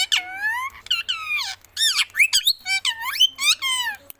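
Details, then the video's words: Parrot giving a rapid series of loud, harsh squawks and shrill whistles, each note swooping down then up with rich overtones, about ten calls in four seconds with short gaps between them. "Voice of Parrot"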